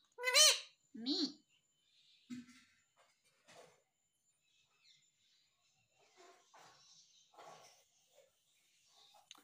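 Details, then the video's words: Pet talking parrot in a small room, said to speak mummy and papa, gives two loud harmonic calls at the start, the second lower and bending downward, followed by faint scattered squeaks and rustles. "Mummy boluga papa boluga _ Talking Parrot _ papa mummy bolta mitthu"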